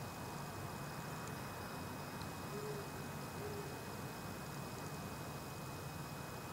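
A Southern boobook gives a soft, low two-note hoot, the notes a little under a second apart, over a steady rumble of traffic noise.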